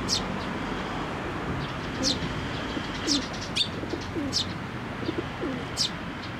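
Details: Nestlings waiting for a parent to feed them at a Tenmangu shrine on 22 May 2024: sharp, high chirps repeated roughly every second, with faint lower murmuring beneath and steady outdoor background hiss.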